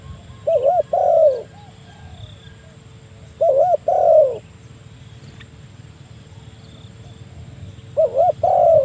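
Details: Spotted dove calling a rival, used to lure birds for trapping: three low cooing phrases spaced about three to four seconds apart, each a short double wavering note followed by a drawn-out falling coo, over a low steady hum.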